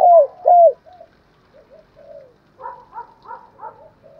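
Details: Spotted dove lure recording for rival males: two loud falling coos, then soft low coo fragments and a series of four rougher, higher, mixed notes near the end.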